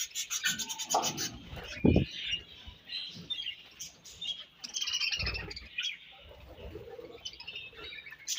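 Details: Budgies chirp over their food with high twittering notes, broken by loud low thumps and knocking sounds from feeding.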